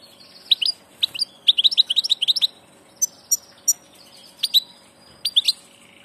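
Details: European goldfinch, a 'del paso' (passage) bird, singing clusters of quick liquid twittering notes, with scattered sharp chirps in between.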